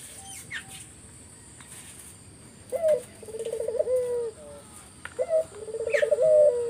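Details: Spotted dove lure song in 'gacor' style to provoke answers from other doves; after high chirps from another bird, two low phrases each open with a rising coo then a wavering rolled trill and a drawn-out note.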